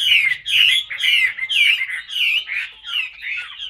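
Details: Hwamei kept in a cage pours out loud, rolling whistled notes, each slurred phrase repeated about twice a second in a steady rhythmic run, bright and strong throughout.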